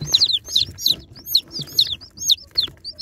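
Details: Baby chicks taken from a box give shrill, high, down-slurred peeps in quick succession, about three per second, with soft rustling underneath.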